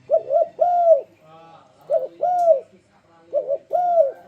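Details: Spotted dove luring song meant to draw other doves into singing: soft hollow cooing phrases, a rapid two-note lead-in then a drawn-out falling coo, three phrases about a second and a half apart.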